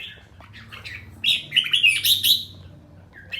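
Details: Captive red-whiskered bulbul of the 'ché' type in song training, giving a brief burst of bright, warbled notes with quick chirpy phrases over a low steady hum.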